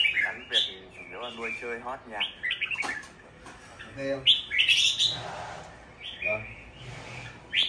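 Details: A home-kept Red-whiskered Bulbul sings bright, liquid chirps and short warbled phrases over a man talking.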